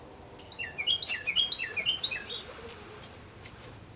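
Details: Carolina wren in southern Kentucky at 7:51 on an early November morning, 10 November 2019, a fast rolling series of about six loud whistled phrases over two seconds, with faint other birds and background hiss.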